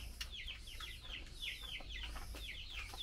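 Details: A female Chinese hwamei, being fed mealworms, calls to the male with fast, slightly irregular down-slurred chips, roughly three or four per second, over a low background hum.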